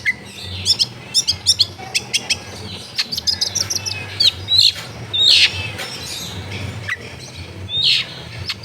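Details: Long-tailed shrike song for training a bird that has stopped singing, recorded at home amid a busy residential area: dense high chirps and trills, then several harsh buzzy notes spaced about a second apart, with low household noise.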